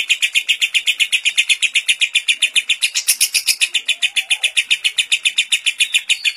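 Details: Caged lovebird in the kapas tembak style delivering a long ngekek for training others: rapid rasping pulses nearly four per second, a short noisy burst midway and a faint lower whistle behind.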